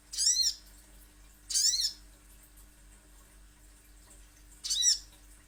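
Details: Little spiderhunter lure call: three isolated, piercing, down-arching notes, the first two about a second apart and the last after a longer pause, over a faint hum.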